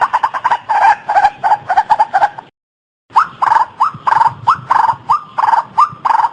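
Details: White-breasted waterhen giving rapid, repeated harsh notes, then after a brief silence a series of rising, slurred phrases repeated about every third of a second.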